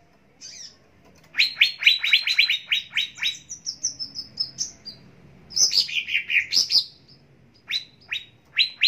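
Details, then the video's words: Greater green leafbird training song to prompt kept birds to sing. A long string of rapid high chirps, about four per second, runs into a thin descending trill, then slurred falling phrases and spaced sharp notes. "Pancingan Dan Masteran Cucak Ijo Pagi Siang Sore Dan Malam Agar Cepat Gacor"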